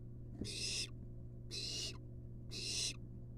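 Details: Three loud, breathy snoring hisses about a second apart from a begging wild barn owl nestling as its mother delivers a long-tailed rat to the nest box; low steady hum.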